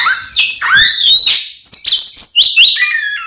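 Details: Kacer, the Oriental magpie-robin, delivering a continuous fighting song used as a lure to anger other magpie-robins; rich whistled slides, rising and falling, interwoven with short scratchy notes without pause.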